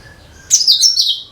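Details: Cucak kinoi (bulbul) song, used as a lure for all kinds of birds: after a faint steady whistle, a loud, rapid, high chirping phrase of twittering notes lasts under a second.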